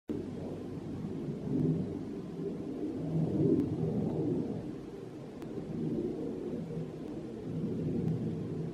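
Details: Continuous low rumbling noise, like wind or distant thunder, swells and fades throughout with a few faint clicks and no clear animal call.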